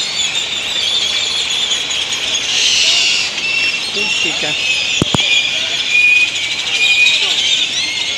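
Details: A noisy gathering of great-tailed grackles settling to sleep at a roost in Granada, Nicaragua; an unbroken high squealing and whistling chorus, swelling around the middle, with two sharp clicks and faint voices.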